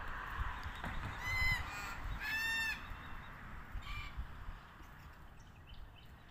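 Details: Red-tailed black cockatoos feeding on casuarina nuts: two harsh, grating, rolling calls with rich harmonics, followed by a fainter third call, over steady low rumbling background noise.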